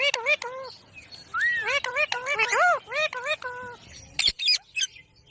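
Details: Ringneck parrot in rapid chatter: a long run of short, nasal, rising-and-falling notes with a few longer arched ones, closing with sharp high screeches.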